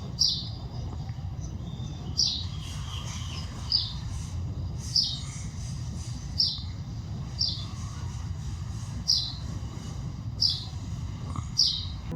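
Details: A bird calls in natural surroundings, repeating a quick, high, downward chirp about every second, roughly ten times, against persistent low-pitched background noise.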